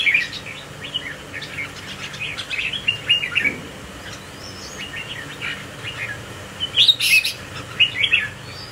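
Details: Swaying, displaying red-whiskered bulbul that has joined a group, seen close up; a busy run of quick warbled chirps, a pause near four seconds, then louder sharp whistled notes around seven seconds, over steady background noise.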